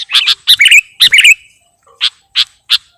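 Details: Sooty-headed bulbul (kutilang) in a lure recording described as full of isian, chattering actively. Two bubbly, slurred whistled phrases drop and rise, then three sharp, evenly spaced chips follow after a short pause.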